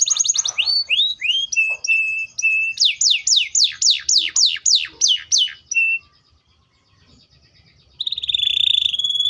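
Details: Canary song with rising whistles, level piping notes and a long run of fast descending sweeps, followed by a silent gap and a harsh buzzy trill.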